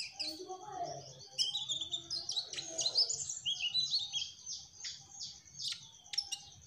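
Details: Mugimaki flycatcher singing energetically: long, busy stream of high chirps and brief whistles, with a few sharp clicks, over a steady low hum.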